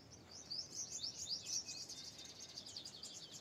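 Long-tailed shrike giving a rapid, scratchy run of high chirps and squeaky notes, about four a second, fading toward the end over faint background hiss.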